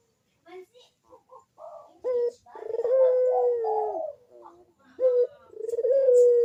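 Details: Lure cooing of a Barbary dove, played to get reluctant doves calling: soft scattered notes lead into a long steady low coo that sags at its end, then a short note and another drawn-out coo.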